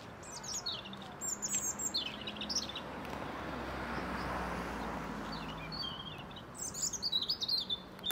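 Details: A European robin in the Ljubljana Botanical Garden on 30 January 2023 gives high, thin, liquid warbling phrases at the start and again near the end, over a steady background rumble like distant traffic; finding: European robin.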